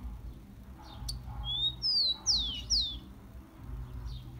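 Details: Tico-tico (Rufous-collared sparrow) song for warming up a kept bird: one thin rising whistle, then three strong, high whistles sliding steeply down, the whole phrase about one second long, with low hum beneath.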